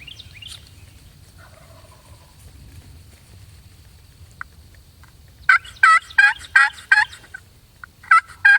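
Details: Osceola wild turkey gobblers in Florida public-land swamp on a morning hunt, gobbling from a couple hundred yards away and staying put. After a quiet stretch, a rapid rattling gobble bursts out, followed by a shorter second gobble.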